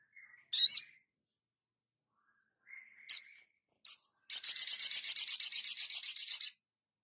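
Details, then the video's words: Sogon, the crimson sunbird, on a training master recording: a few isolated high, squeaky chirps followed by a long, fast and even trill of buzzy notes lasting over two seconds. "Dasyatnya MASTERAN INI ‼️SOGON LANGSUNG NGLEPER ‼️"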